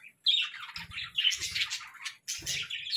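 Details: Quieter morning budgerigar chatter in three scratchy, warbled bursts separated by brief silences. Each burst comes with soft low thuds.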